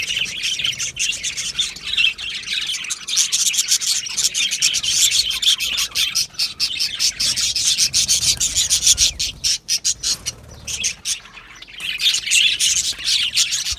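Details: An aviary colony of Australian budgies sings and chirps happily, making a steady wall of high, scratchy warbling and rapid chips with short breaks near the middle.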